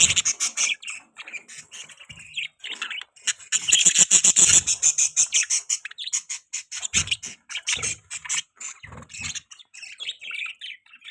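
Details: Budgerigars giving chirping mating sounds: a steady stream of rapid, scratchy chirps and warbles repeated several times a second, with harsh buzzy notes and brief low thuds mixed in.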